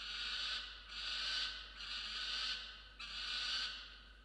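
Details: Peregrine falcon screaming while protecting a musk lorikeet it has brought in as prey, at 6:09 am on 27 December 2022: four harsh, raspy screams, each under a second long, in close succession.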